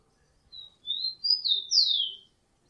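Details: A single soft rufous-collared sparrow phrase of drawn-out whistles, level at first, then rising and ending in a long falling slur, over faint low background hum.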